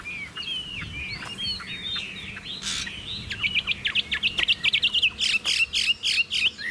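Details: Caged Chinese hwamei kept as a singing bird in Vietnam: softer, scattered whistles at first, then a loud run of rapid repeated sharp notes, about four per second, ending in looping slurs.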